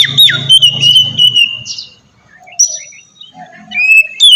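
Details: Oriental magpie-robin singing, used as a lure to make captive birds sing: loud whistled notes sliding around a steady high pitch in the first two seconds, then a pause and softer scattered whistles, with a low hum underneath.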